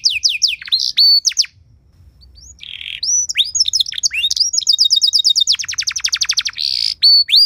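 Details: Ornate training song from a canary, intended to excite other canaries into song: falling whistles, a brief pause, a buzzy note, mixed slurs, then a long rapid trill of downward strokes ending in a buzzy phrase.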